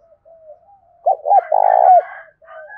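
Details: Cooing of a decoy spotted dove meant to provoke wild birds, 'giọng thổ sấm' style; two quick hooked notes lead into a sustained vibrating coo, with faint softer coos before and after.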